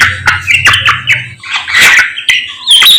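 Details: Samyong bird singing energetically in the morning: loud harsh squawky notes and sharp chirps, some sliding downward, delivered in quick irregular bursts with short pauses.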